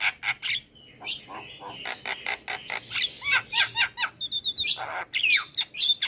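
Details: Javan myna master recording meant to get other birds that hear it singing along: a dense run of harsh broadband chacks and squawks mixed with whistled upslurred and downslurred notes and twittering phrases, delivered rapidly with no other sounds.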